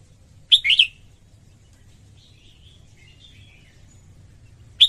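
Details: Singing female red-whiskered bulbul, meant to stimulate males: one loud warbled two-part chirp phrase, then quiet soft notes, and the start of another phrase at the end.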